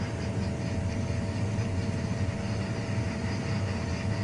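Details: Steady low rumble of an idling safari vehicle engine, with no animal voices heard.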